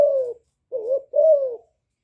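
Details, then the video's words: Young spotted dove used as a decoy, calling in the hạp bổi voice; three low coos, a falling note, a short wavering one, then a long gently falling coo. "Cu gáy tơ gáy giọng hạp bổi GÁY GỌI + KÈM GÙ BO chim cu gáy chu lèo bài bản kích bổi hay"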